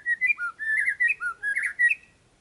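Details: Luring song of a white-rumped shama meant to draw an immediate reply. Loud, clear whistled phrases alternate rising and falling notes in about seven short bursts, with nothing else audible.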